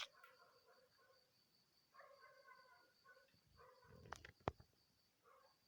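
Chukar partridge giving harsh, clucking bursts of chuck notes every second or two, over a steady high electrical whine and a couple of sharp knocks.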